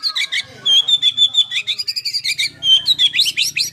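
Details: White-rumped shama (murai batu) singing actively in the rapid 'tembakan' style: a varied run of sharp whistles, slurred notes and quick chattering phrases, with a steady high whistle held through the middle and rising upsweeps near the end.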